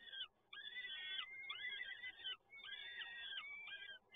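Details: Sustained wheezy begging wails from peregrine falcon chicks during feeding at PGE Toruń, Poland, 30 April 2022. Long calls run together in two extended bouts, each nearly two seconds long.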